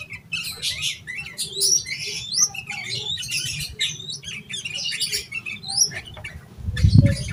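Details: Excited yellow-vented bulbul song, played to prompt other bulbuls to sing. Quick bubbling chatter of rising and falling whistled notes, with a dull thump near the end.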